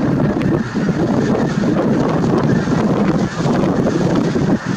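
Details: Heavy wind buffets the microphone in a continuous roar, and no animal calls stand out.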